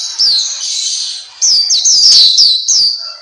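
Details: Black-capped white-eye song used as tutor audio for caged birds: bright, high whistled chirps in quick bursts, each note sliding downward, grouped in short phrases separated by brief pauses.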